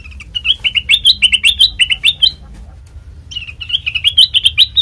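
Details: Black-crested bulbul in a lure recording for bird trapping: a brisk, steady string of sharp rising chirps, a one-second break, then more rapid chirping, over a faint low hum.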